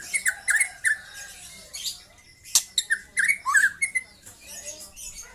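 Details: A young white-rumped shama gives scattered hooked whistles and twisting notes in short runs, mixed with sharp clicks, thin high hiss and a faint low hum behind.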